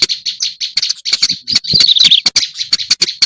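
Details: Black-browed reed warbler, recorded as a lure: quick, scratchy chirps strung together, including a brief sweeter twittering flourish near the middle, punctuated by sharp ticking clicks.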